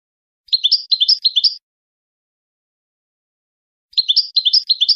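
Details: Goldfinch song phrases: a one-second burst of rapid, high, liquid chirping notes, a pause of about two seconds, then a matching burst, with nothing else audible.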